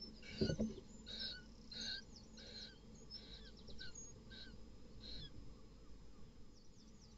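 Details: At night at a barn owl nest box where an unrelated male killed another male's chicks, fainter rasping hisses pulse about every half second to second, with soft chirps overhead.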